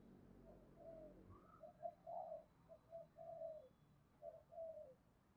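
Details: Spotted dove voicing the 'thổ' style tinged with 'đồng', heard at a distance: a series of short and drawn-out low coos in an uneven rhythm, set against steady background hiss and low rumble.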